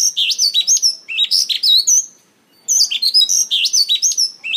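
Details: Mongolian lark singing and dancing on stage: loud high chirps and swooping whistled notes in rapid clusters, a brief pause midway, then another run of sharp rising and falling phrases.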